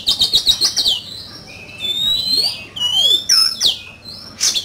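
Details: Caged oriental magpie-robin in a fierce singing contest: quick repeated high notes, then long pure whistles sliding and wavering, a falling slurred phrase, and a sharp closing burst.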